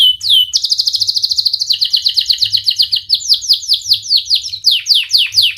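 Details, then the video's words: Canary singing as a lure for juvenile birds learning song: an opening sweep, a rapid tight trill, then a long series of sharp descending whistled notes delivered quickly and evenly. "Kenari Gacor speed Rapat WIT Wit Tajam Cuit cuit ngeroL, pancingan kenari PAUD BELAJAR BUNYI"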